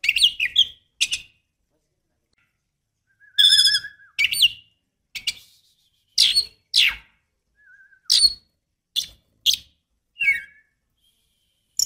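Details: Female Oriental magpie-robin luring a male with a run of short, high, scratchy chirps and buzzy rasps, plus a couple of brief lower whistled notes, spread irregularly over twelve seconds with pauses between.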